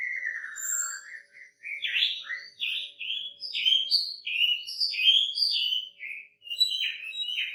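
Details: Wambi with a luxurious song fill: a low descending whistle, then a string of short, bright, upward-sliding whistled notes at varied pitches, delivered steadily with brief gaps, over a faint steady hum.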